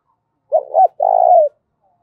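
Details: Spotted dove cooing in the 'giọng thổ pha' voice style, used to provoke fighting and stir birds to call: a short double-humped coo followed by a longer, steady, slightly pulsing coo that drops at the end, in silence.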